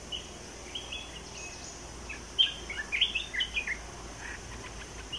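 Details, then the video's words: Olive-winged bulbul kept as a caged decoy bird for trapping: a scatter of short, bright chirping notes, then a quick bubbly run of sharp notes near the middle, over a steady hiss of background noise. "นกปรอดสีไพลใหญ่ Burung merbah belukar"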